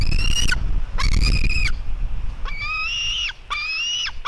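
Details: White-tailed eagle eaglets in a fight, a sister and brother, at 16:09: high strained screams partly buried under loud low rumbling noise, then two clearer, longer whistled screams.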